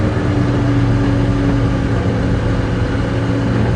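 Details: Steady idling vehicle engine hums at a low, even pitch, with no animal sounds heard.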